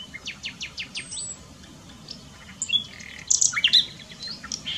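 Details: At Dohr in Germany's Eifel, a nightingale sings a soft run of repeated upswept notes, pauses, then bursts into bright, loud, varied phrases.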